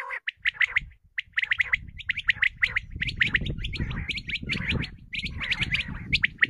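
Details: Common quail calls played as a hunting lure: bursts of rapid, sharp chirping notes in short clusters, with a harsh gargling undertone and a steady low rumble of background noise.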